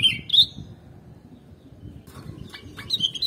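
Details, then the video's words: Sooty-headed bulbul (kutilang) sound meant to lure birds: a quick, bright, whistled two-part phrase at the opening, then quieter, scattered chirpy notes toward the end over soft background hiss. "Gampang Ke Pancing Kalo Burungmu Dengar Suara Kutilang ini"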